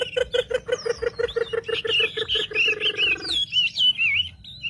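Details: Wambi song used as a lure to provoke other wambi birds: a rapid series of about twenty evenly spaced pulsed notes, then varied whistled warbles and sharp high chirps, with a low steady hum throughout.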